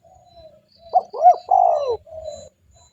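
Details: Spotted dove lure call used to attract other doves: soft low coos, a stuttered double note, then a drawn-out falling coo and a final flat hum, all mellow and hollow-sounding, with faint thumps beneath.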